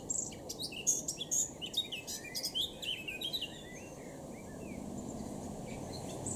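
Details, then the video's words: Eurasian blackcap song from Cambridgeshire, UK, 26 June 2016: a lively, tumbling phrase of high whistles and warbles lasting about three and a half seconds, followed by quiet background hiss. "good Blackcap singing"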